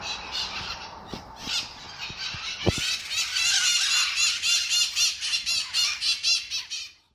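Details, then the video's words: Mitred parrots, with red crowns, congregating at their habitual daily gathering spot in Sunnyvale on 11/04/2020. Harsh, raspy screeches from several birds overlap into a dense chorus, then pulse rhythmically about four times a second before fading. Faint low thumps beneath. "Parrots Congregating Some More"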